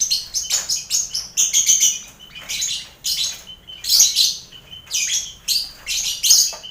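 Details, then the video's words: Crowded aviary of lovebirds with finches and quail, heard as training for contest birds: repeated bursts of high, scratchy chattering and squeals every half second or so, leaving short gaps. "Sound Koloni Lovebird"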